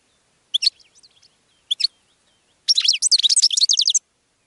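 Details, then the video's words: Goldfinch song, played to attract other birds: two short twittering bursts, then a dense run of rapid high buzzy notes lasting over a second, all very high-pitched against silence. "GOLDFINCH SONG to ATTRACT Other Birds"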